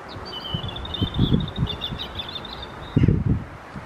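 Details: European robin singing despite cold wind on 4 April 2023: one long thin high warbled phrase of rapid wavering notes lasting over two seconds, with loud low wind buffeting the microphone throughout.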